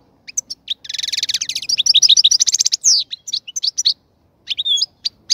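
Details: Song of a caged European goldfinch as its breeding cage is set up: a rapid rattling trill runs into bright tinkling twitters and sharp chirps, then a brief pause and more notes.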